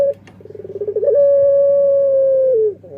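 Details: Barbary dove singing in the puter pelung style: a run of quick, low throbbing pulses speeding up, then one long steady drawn-out coo held about one and a half seconds before dipping at the end.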